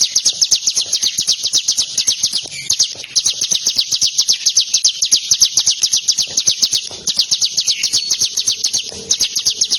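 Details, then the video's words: Continuous fast trill of high, piercing chip notes, about four per second and very even, from a tame bar-winged prinia singing straight away when played with by hand. "CIBLEK gacor jinak di mainin pake jari tangan langsung nembak suara nya"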